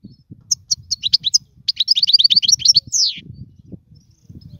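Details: European goldfinch song, used for teaching young birds to sing; a caged bird is mentioned. Bursts of quick high twittering notes, then a rapid run of buzzy chirps ending in a descending slurred note, with low rumbling background noise.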